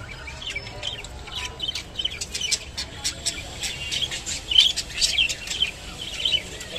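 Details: While eating kolmi shak, a rainbow budgerigar makes quick high clicks and chirps that build into louder, denser chatter toward the end.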